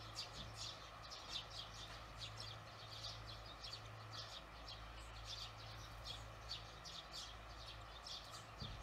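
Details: On an evening of 18 June 2020, barn swallows give quick, bright chirps at a steady pace, about two or three each second, while a low engine-like hum holds in the background.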